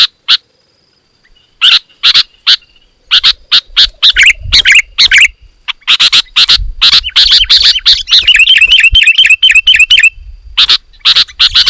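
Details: Sooty-headed bulbul singing loudly and densely, used to provoke rival bulbuls and lure wild birds: sharp, chirpy notes in rapid, irregular bursts, about two per second, with a fast chattering trill near the end and a steady faint high whine throughout.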